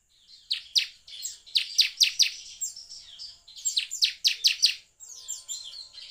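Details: Bar-winged prinia song used to stimulate singing in prinias: two bursts of loud, rapidly repeated sharp high notes separated by softer twittering, ending with fainter trilled phrases.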